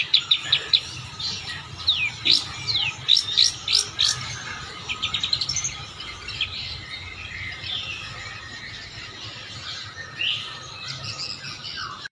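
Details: Long-tailed shrike delivering a mimicry-filled song: high, sharp whistles and a fast series of chips in the first half, then sparser, fainter notes over faint background noise.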